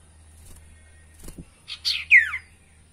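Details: Spotted owlet voice played to coax silent or newly bought caged birds to sing: a low knock, then rising raspy notes leading into a loud falling screech.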